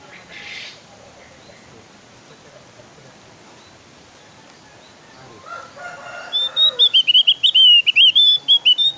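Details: Javan white-eye, recording used to lure other birds into singing: after quiet noise, a loud high run of rapid, repeated warbled notes, about two per second, sweeping up and down in pitch.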